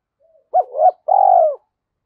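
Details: Decoy spotted dove calling to rouse wild doves. A faint note is followed by a double hoot rising in strength and then one long, steady, vibrating coo, all in silence.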